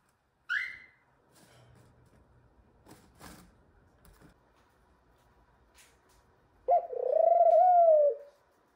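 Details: Young male ringneck dove kept as a pet, reaching puberty, heard in a quiet room: a sharp high squeak, several seconds of faint knocks and rustles, then one sustained pulsing low coo lasting over a second.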